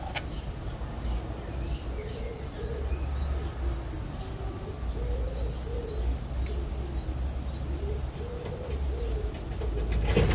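Pigeons coo in soft, low, throaty phrases that repeat with a rolling rhythm, over a steady low rumble and a few faint chirps.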